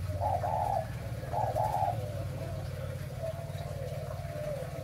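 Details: ["Spotted dove of the 'mã phân hồng' type singing in breeding condition. Two clear rolling coo phrases come early, followed by fainter trailing notes, over a loud low droning hum."]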